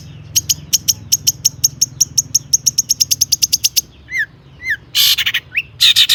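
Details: Active long-tailed shrike singing a mimicry-filled song meant to provoke other shrikes into song: an evenly paced string of sharp, ticking notes, then brief down-slurred whistles and loud rasping bursts.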